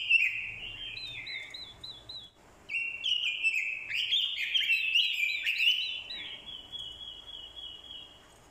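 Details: Fighting song from an orange-headed thrush decoy male provoked by a female's call. A string of quick rising-falling whistles, a short pause, then a loud jumbled run of rich warbling notes.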